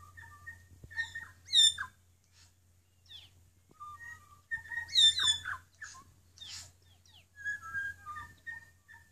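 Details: North Island kōkako song on Tiritiri Matangi: slow, mellow whistled notes, some held and some sliding, in bursts every few seconds, broken by bright chirps and rapid sweeping phrases over a steady low hum.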